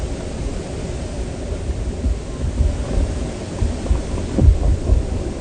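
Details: Low rumbling rain and thunder-like noise with a few thuds, and no animal calls.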